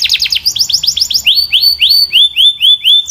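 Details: Clear, powerful singing from a Belgian canary: a quick burst of rapid falling notes, then a slower series of rising-and-falling whistled arcs, about three per second.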